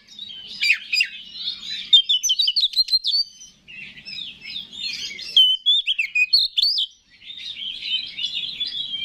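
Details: Oriental magpie-robin used as a lure to stir other kacer, singing in long bursts of fast twittering, clicks and whistled slurs separated by short breaks.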